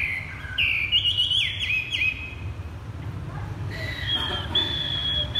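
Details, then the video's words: Hwamei in a ground-placed cage, thắt cổ chai singing: a quick string of slurred, downward-sweeping whistles, a brief pause, then a thin sustained high whistle, with steady low background noise. "Chim hoạ mi đặt đất hót thắt cổ chai thắt cổ chai..."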